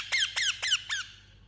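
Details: An Indian ringneck parakeet, kept as a pet, gives four quick, harsh squawks, each one dropping steeply in pitch, about four each second.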